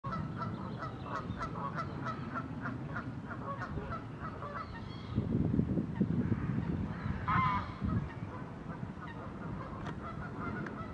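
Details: Great crested grebe pair courting and nest building, newly reunited; rapid series of short harsh, clicking notes, irregularly spaced, with louder low rumbling noise bursts in the middle.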